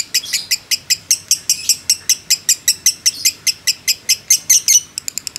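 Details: Trilling 'ngekek' of a fighter lovebird, used as training bait: sharp, high, separate chips at roughly four per second, ending in a quick burst of shorter notes.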